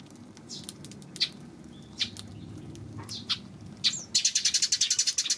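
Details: Eurasian tree sparrow on June 19: scattered sharp chirps early on, then a fast run of short, evenly spaced chips near the end over a low background rumble.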